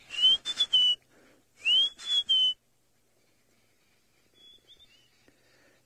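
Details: White-browed scrub robin singing in the background near an African elephant, alongside arrow-marked babblers; two loud phrases about 1.5 seconds apart, each a rising whistle mixed with buzzy rattling notes, then faint distant whistles.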